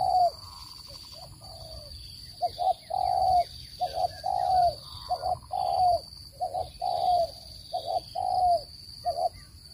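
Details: Lure call of a spotted dove for bird trapping, free of noise: after a quieter start, a run of low rounded coos in paired short and long drawn notes repeats regularly, with faint chirps and a constant high whine.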